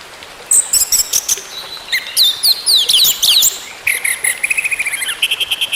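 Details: Orange-headed thrush song played to restart a silent bird: energetic mimicking phrases of high chips, quick slurred whistles and a long run of rapid repeated notes toward the end.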